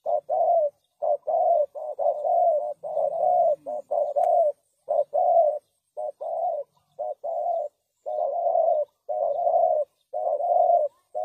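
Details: Spotted dove call used as a lure for trapping wild doves: low, soft, slightly throaty coos in steady runs of short paired and longer phrases, about one a second with brief pauses, and a faint low hum partway through.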